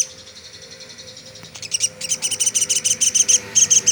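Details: Pelatuk sampit, the velvet-fronted nuthatch, used as a tutor recording for songbirds: quiet at first, then a quickening run of sharp, high chips that grows louder toward the end.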